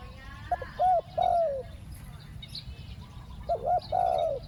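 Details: Decoy spotted dove luring wild doves with its two-word 'ku-ang' coo, repeated twice about three seconds apart: each phrase has short clipped notes, then a long mellow coo that slides downward, with faint rural noise behind.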